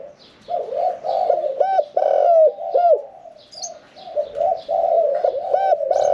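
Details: Spotted dove, caged for about sixteen months, middle-voiced 'khan yon 1 kuk' song: soft rolling coos broken by several looping, arched notes, with light high chirps of other birds behind.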